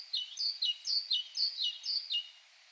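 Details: Great Tit song, a typical variant of its simple, short song: clear whistled two-note phrases, high note dropping to a lower one, repeated about five times at a steady pace over two seconds, with a faint background hiss.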